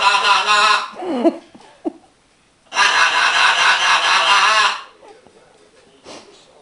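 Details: A male pet green-winged macaw says hello fast in a light voice, then sings his own 'lalala' song: a loud, harsh, rasping burst, softer wavering talk, a second long raucous outburst, then quieter voiced sounds.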